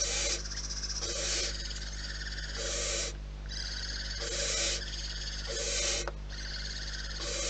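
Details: Barn owls at a nest repeat rasping hisses roughly every second, some overlapping. They are moderately loud above a constant low hum.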